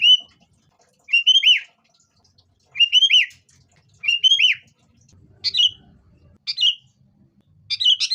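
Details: Sooty-headed bulbul song used as a lure to get caged birds singing, with a fighting tone: short bubbly phrases of liquid, down-slurred whistles repeated at intervals of about one and a half seconds, later notes harsher and buzzier.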